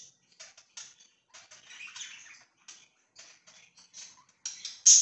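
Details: Pet budgies recorded on 24 September 2024, giving soft scattered chirps and short scratchy chatter in brief bursts. The last second brings a louder, sharper chirp, and the background stays quiet.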